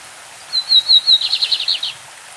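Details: Brazilian lined seedeater song in classic style with a creek behind: a row of sharp high whistles followed by a rapid series of lower buzzy notes, one phrase lasting about one and a half seconds.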